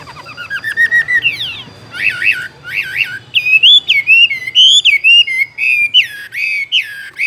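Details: Chinese hwamei kept in a cage, pouring out a varied whistled song: rising slurred notes, bouncing wavering trills and strong, fluid phrases delivered almost without pause.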